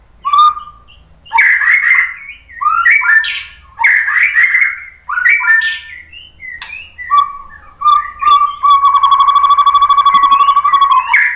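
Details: White-rumped shama lure song for prompting other birds to respond: five similar bursts of fast whistled and chattering notes about a second apart, ending in a long steady trilled whistle.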